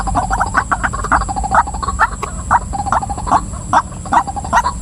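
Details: Female white-breasted waterhen calling: short, harsh notes repeated more than twice a second in a loose, uneven rhythm, with softer croaking notes between them, over a steady high electrical whine and low rumble.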